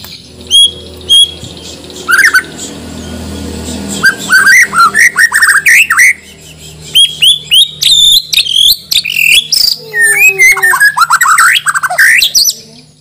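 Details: White-rumped shama from Banjar, Borneo, kept in a cage ahead of a songbird contest, delivering a loud, varied song of sharp whistles, rising and falling slurred notes, clicks and rapid trills in dense bursts, with low hum beneath.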